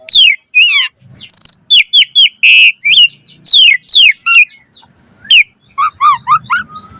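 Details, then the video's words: Asian pied starling delivering mompa-style song with full variation for training birds; fast downslurred whistles, a strained harsh note, and a closing run of lower rising whistles. "Pancingan Jalak Suren MOMPA Full VARIASI - Masteran Suara Burung Jalak Agar Gacor Full Isian Mewah"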